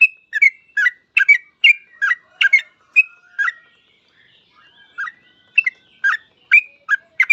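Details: Yellow-vented bulbul singing 'full ropel', dense bursts of bright chirps and short whistles for three seconds, a short lull, then quick chirping resumes.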